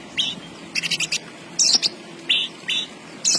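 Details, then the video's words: Javan bush lark (branjangan) in lively song: short bright chirps and whistled notes at varied pitch, spaced irregularly across a few seconds, with faint low background hum. "BURUNG BRANJANGAN GACOR"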